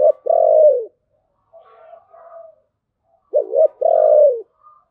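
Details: Cooing spotted dove in the 'thổ' voice style, 'Bầu': two loud two-part coo phrases, each a short dipping note then a long steady hoot, with quieter soft murmured notes between them.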